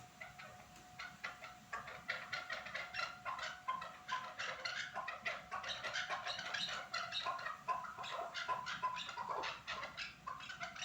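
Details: Norak chukar partridges produce a steady stream of harsh, repeated clucks, about two per second, several callers overlapping, over a faint constant tone.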